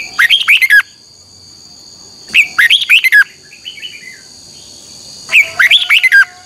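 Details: Red-whiskered bulbul singing a morning training song in the double-voice twisting style, used for training birds: three rapid phrases of clear, bouncy, looping whistles about every two and a half seconds, with a constant thin high-pitched hum behind.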